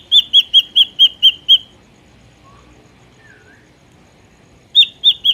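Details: Ashy drongo, wild recording used as a trapping lure: seven evenly spaced whistled notes, a quiet pause with two faint low slurred whistles, then the whistled series resumes.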